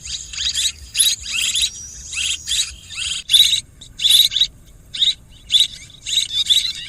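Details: Swiftlet calls: dense bursts of high, buzzy chirping twitters, each about a quarter second long, coming in quick irregular runs of roughly two per second with short silent gaps and a faint low hum beneath.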